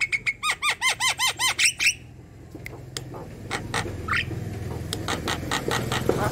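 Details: Vigorously singing young Javan myna, recorded to tutor other birds: a quick series of about a dozen arched, looping whistled notes, then scattered faint clicks and a short rising note over a steady low hum.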